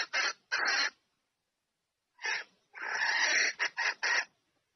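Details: Female red junglefowl calling for the male to come and mate. Two short rasps and a pause lead into a long, hoarse, noisy note, then a few quick cackles at the end.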